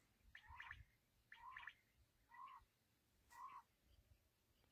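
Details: Black francolin (kala teetar), named in connection with quail hunting, gives four harsh, buzzy, grating phrases spaced about a second apart against a quiet background.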